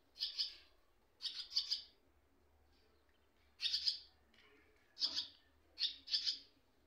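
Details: Nestling swallows calling while their parents come and go: six bursts of hoarse, buzzy high chirps, most split into two quick pulses, separated by one-second pauses.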